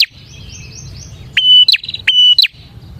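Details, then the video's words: Lively bar-winged prinia song used as a lure for trapping prinias: loud phrases, each a sharp upsweep into a level, piercing whistle ending in a quick twisting flourish, with a fainter twittering series in the background. "suara burung prenjak gacor ini 💯% ampuh untuk pikat prenjak dan pancingan prenjak"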